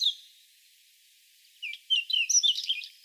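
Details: Song of a whinchat: a brief note, a silence of over a second, then a rapid phrase of short whistled slurs mixed with harsh scratchy and crackling notes.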